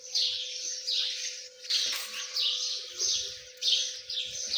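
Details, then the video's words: Loud, thin peeping of partridge chicks, repeated in irregular bursts, with a steady low hum and soft knocking sounds. "Dakani Teetar chicks | Partridge beautiful chicks"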